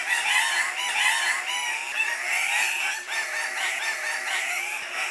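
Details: Andean cock-of-the-rock lek, where males compete for breeding females with a variety of calls: loud, crowded squawking with curling, rising and falling nasal notes, heaviest in the first seconds.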